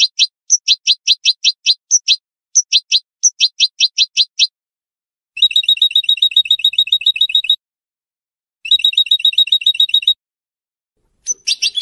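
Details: Song of a colour goldfinch cross from 2022 with a broad white bib, close to finishing its first moult: rapid high chirp series followed by long buzzy trilled passages, pausing between phrases.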